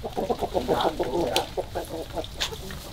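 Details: Chickens on a February 2022 morning giving a quick run of low, throaty clucks, several short notes per second, fairly loud and close, with a soft background hum.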